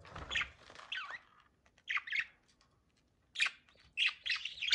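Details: Mating budgies calling in separated bursts: a few harsh, scratchy squawks and chirps, with quiet gaps of about a second between groups.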